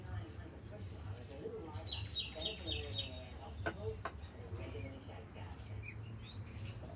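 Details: Rainbow lorikeets on a balcony in Australia give quick runs of shrill, high chirps in short bursts over a steady low hum, with a few sharp clicks and possibly a voice.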